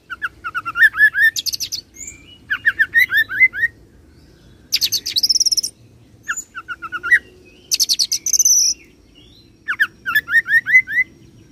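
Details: Oriental magpie-robin rolling song imitating cililin then serindit: bursts of quick rising whistled notes alternate with high, harsh buzzy trills, with brief pauses between phrases over faint low background rumble.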